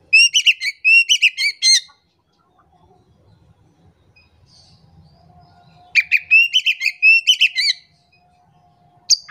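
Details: Lure song of an oriental magpie-robin, played to stir a silent bird into singing: rapid clusters of clear, ringing whistles in two phrases of about two seconds, with a quiet pause and faint low hum between them.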